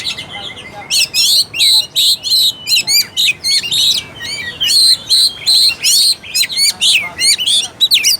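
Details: Oriental magpie-robin song to encourage a lazy, unaggressive bird to sing: loud rhythmic bursts of high sharp whistled notes repeated about twice a second, bright and piercing.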